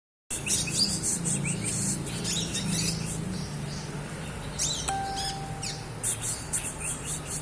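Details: Young olive-backed sunbird learning to sing, giving the chirping style called ngriwik: rapid thin, high chirps and short trills in uneven bursts, over a steady low hum, with a brief flat whistled tone midway.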